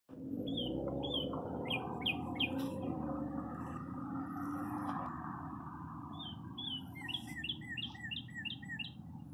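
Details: Wild birds chirping in spring at a parking lot after many cold days. Short high chirps come in loose bunches, then a quick run of rapid repeated chirps near the end. A steady low rumble runs underneath.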